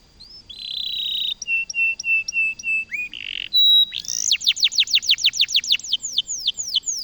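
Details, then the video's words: A canary of the loper type sings: a long steady whistled note, a row of short even whistles, a buzzy burst, then a fast run of rapid downward-sweeping chirps repeated several times a second. "Kenari loper gacor"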